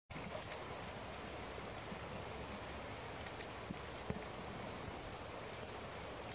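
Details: Rock sparrow in open fields gives short, very high, thin chirps, often in quick pairs, at uneven gaps of one to two seconds over steady background hiss.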